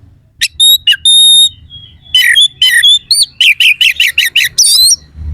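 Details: Kacer (Oriental magpie-robin) mixing long steady pure whistles with a rapid chain of grating, looping notes, a harsh fill-in style meant to make rival males persistent.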